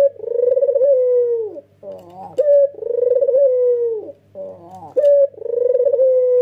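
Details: White male ringneck dove with red eyes in an energetic nodding coo, meant to set other doves calling: long vibrating coos sliding down, each introduced by a throaty burble and a crisp high note, three times.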